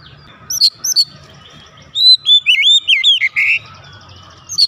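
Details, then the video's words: Caged oriental magpie-robin replying loudly: a few sharp high chips, then a run of looping whistled notes and a buzzy falling ending, over a low background hum. "Kacer rumahan langsung nyaut gacor keluar suara keras"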